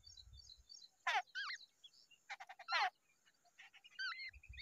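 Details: Wild babblers, a pair together at their nest, giving short harsh buzzy bursts mixed with brief warbled, twisting whistled notes, several calls within a few seconds, with a low rumble at the start and end.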